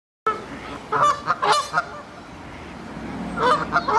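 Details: Moulting Canada geese on the South Pond at Midhurst, West Sussex, England: a burst of nasal honks from several birds, then a quieter gap with faint water and background noise before more honks.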